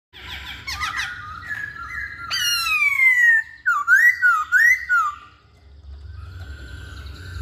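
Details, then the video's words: Hwamei (poksay Hongkong) singing: a rapid stuttered opening, then a long clear whistle sliding downward, followed by looping up-and-down whistled phrases and a soft tail of quieter notes. "Kicauan Poksay Hongkong"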